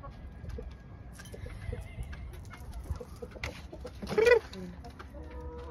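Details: A Sebright hen in the coop, as the birds go in to sleep, cackles a lot; her cackle is slow and soft, unlike large hens', one brief clucking burst over a low hum with faint bird sounds.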